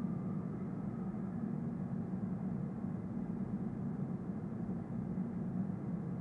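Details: Even, continuous low drone of engine or aircraft noise outdoors, unchanging throughout, with no animal sound heard.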